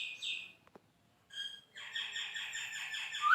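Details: Javan myna, a lively competition-training bird, opening with a high sliding note, then a pause and a buzzy, harsh, rattling chatter that builds to a loud rising note.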